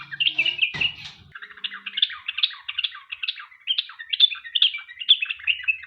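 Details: Sooty-headed bulbul in long, rapid continuous song, played as a lure so other bulbuls answer. Fast warbling chatter of short slurred notes carries throughout, with a single low thump early on.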